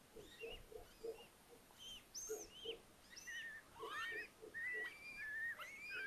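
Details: Little owl family in an attic nest at Tiszalök, Hungary, beside Hortobágy National Park, May, four owlets after hatching; a run of soft, low peeps gives way to rising and wavering whistled calls, about one and a half per second.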